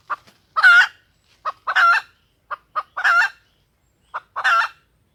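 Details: Female junglefowl calling to lure males: four harsh, buzzy squawks about a second apart, each preceded by one or two short soft clucks, in clean, quiet surroundings.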